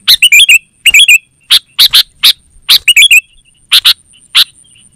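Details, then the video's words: Lively sooty-headed bulbul used as a lure for wild forest birds and as a master song for home birds. It opens with rapid twisting warbled notes, then gives spaced single sharp chips about every half second. "Suara Burung KUTILANG GACOR Terbaik Untuk Panggilan dan Masteran"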